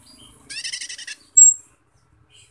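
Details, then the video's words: Asian glossy starling (cucak keling, camperling), a bird described as very loud-voiced, singing gacor as a lure to spur other birds. A buzzy stacked trill of rapid pulses, then one piercing high whistle, then quiet. "Pancingan Cucak Keling Biar Gacor Teler | Cak Keling Gacor Teler"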